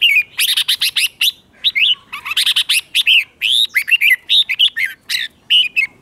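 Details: Doubled 'beun' style song of a red-whiskered bulbul used for teaching young birds: dense, lively chirping phrases of rising and falling notes, broken by a few short gaps.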